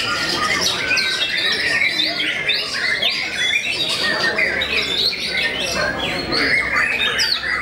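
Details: Performance song of a white-rumped shama renowned for making rival birds drop out: varied melodic whistles, buzzy phrases and quick chirps tumble together in a nonstop, energetic flow.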